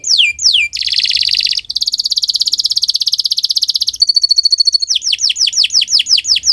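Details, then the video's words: Canary singing continuously for bird training in the morning, mixing falling whistled swoops, a long fast buzzy trill, a clear ringing rolled note, and more repeated downward sweeps. "Kicau Burung Kenari 179 II LUAR BIASA GACOR PANJANG Cocok untuk Masteran"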